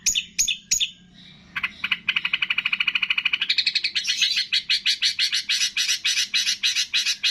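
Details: Training song of a long-tailed shrike imitating cililin, greja tarung, lovebird, tengkek and kapas tembak. After three sharp notes comes a long, even, rapid trill that rises in pitch and grows louder toward the end.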